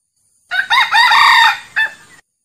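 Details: Male red junglefowl, a genuine wild-type recording made to lure other junglefowl: one harsh, ringing crow of several joined parts, a short break, then a final clipped note trailing off; nothing else audible.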